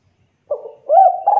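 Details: Spotted dove (tekukur) cooing as a lure meant to make other doves answer: a short low coo after half a second of silence, then a longer steady hooting coo with a slight upward bend.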